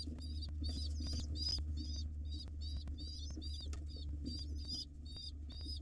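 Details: Hungry wild pigeon nestlings begging while their mother feeds them in a nest box: rapid strings of shrill squeaky wavering notes, about three per second, with a constant low droning hum beneath.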